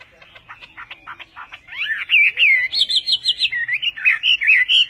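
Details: Vietnamese-style song of a Chinese hwamei, known locally as họa mi tây: soft stuttering notes build into loud, looping whistles and rapid repeated phrases that rise and fall.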